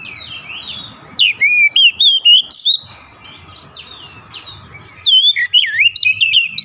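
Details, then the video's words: Oriental magpie-robin singing to lure other magpie-robins into song: a series of loud, evenly spaced slurred whistles, a hissy pause, then a rapid warbling run of rising and falling notes. "APAPUN JENIS KACER PASTI TERPANCING LANGSUNG IKUT GACOR"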